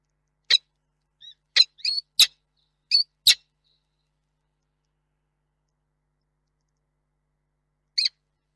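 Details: Male peregrine falcon at a Polish nest box in Reda, evening of 21 August 2021, calling in vain for his mate; a quick burst of about seven clipped, rasping chips, a long silence, then one final call.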